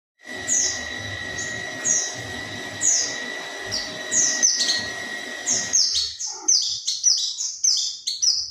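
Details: Oriental white-eye lure call for attracting birds: high, thin downslurred chirps in loose series, growing denser and more overlapping toward the end, over a steady faint whine and low rumbling background.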